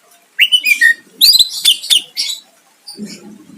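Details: Greater green leafbird song to provoke a rival: rich warbled whistles and scratchy chatter in a dense run, then a quieter tail with a soft low rumble behind.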